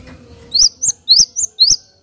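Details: Java sparrow call meant to provoke other birds of its kind: five bright, rising chirps, the louder ones alternating with shorter higher notes, in about one and a half seconds.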